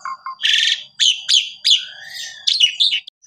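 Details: Asian pied starling song used to train canaries: two low whistled notes, then a loud buzzy burst and a series of sharp descending slurred notes with a faint whistle underneath.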